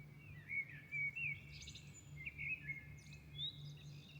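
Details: Dawn chorus in Milan with a bird pouring out rapid whistled and twittering phrases, several loud accented notes, and high trills, backed by a faint continuous hum.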